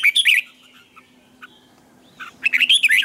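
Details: Red-whiskered bulbul morning practice song for training lure birds: an opening burst of fast warbled chirps, a near-silent stretch with faint notes and a low hum, then another lively chirping phrase.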